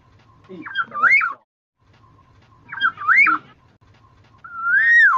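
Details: Lure call of a black-naped oriole (kepodang emas) used to attract birds for trapping. Two short, looping whistled phrases come about two seconds apart, then a long, smooth whistle that rises and falls. Low background hum.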